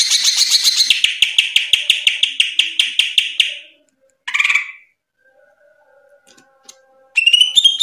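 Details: Greater green leafbird (cucak ijo) delivering a 'tembakan' series: a long run of fast, evenly spaced buzzy notes slowing toward the end, a short chatter, near silence, then a final burst of whistles.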